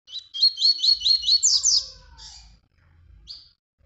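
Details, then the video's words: Tui Tui style song phrase recorded as training for young birds: six fast, sharply rising whistled notes climbing into a buzzy high flourish, then a short trailing note and a brief high chip, over a soft low hum. "encarte para filhotes, o melhor do encarte, Tui Tui"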